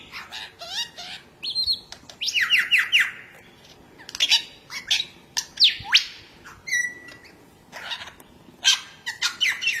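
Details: Varied song of a lyrebird from Australian forest: clear whistled slides, short rapid chirp series, sharp rising notes and a sustained pure tone, delivered in a lively jumble over soft steady background hiss.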